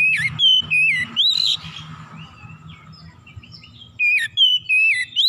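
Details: Oriental magpie-robin in an excited, emotional state pouring out its repertoire: wavering whistled notes, a rasping burst, a quieter gap, then more looping whistles.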